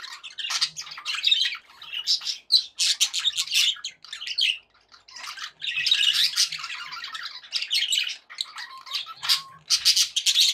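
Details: Budgerigars kept as pets chattering contentedly, a busy mix of scratchy warbles, clicks and shrill chirps in uneven bursts, pausing briefly midway before resuming at full intensity.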